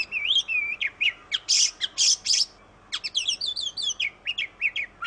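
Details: Indonesian kacer or oriental magpie-robin mixing whistled slurs with harsh buzzy squawks and quick downward chips, steady low background hiss throughout.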